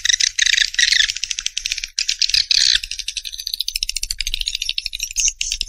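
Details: Swiftlet chatter, fast and rattling, built from rapid, pulsed high chirps in long runs, with a faint low hum behind.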